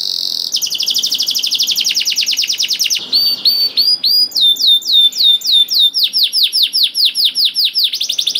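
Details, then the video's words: Vigorously singing canary, played to coax canaries that seldom sing: a rapid buzzing trill for about three seconds, then clear downslurred whistled notes, a faster run of falling sweeps, and a closing burst of trill. "KENARI GACOR DOR INI MEMANCING KENARI YANG SUSAH BUNYI JADI IKUT GACOR"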